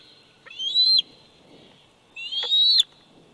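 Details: At a Big Bear Valley nest on 27 July 2019, a 104-day-old bald eaglet utters two loud, thin upslurred whistles, each ending in an abrupt click, about a second and a half apart.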